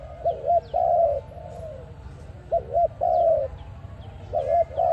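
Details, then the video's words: A dove's call, used as a trapping lure: low cooing in a repeated pattern of a short wavering double coo, then a longer steady coo, sounding about every two seconds. "Sound of ARIMIX dove quality sound to use for trap"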